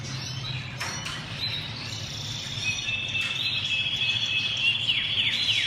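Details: Canary singing a sustained high rolling trill that shifts slightly upward partway through, broken by a few sharp clicks early on and ending in fast descending slurred notes over a low background hum.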